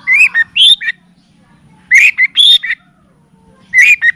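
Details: Long-tailed shrike (cendet) on a tutoring and lure recording featuring kapas tembak and cililin phrases: three clear whistled, rising phrases of short notes, each about half a second long, separated by short pauses.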